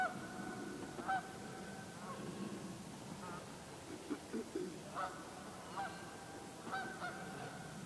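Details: About five dozen geese gathered on a pond during migration, October 2011, afternoon, heard from the far side: scattered distant honks, some overlapping, over a steady background hiss.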